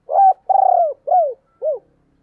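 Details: Spotted dove in thúc and gáy gọi calling, 2022: a crisp four-note cooing phrase, the second note long and vibrating, the others short and sloping downward, in quiet surroundings.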